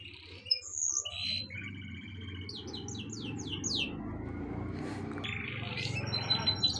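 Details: Several quick, high, descending chirps from birds in a short series, with scattered squeaky notes. A constant low rumbling background noise runs throughout.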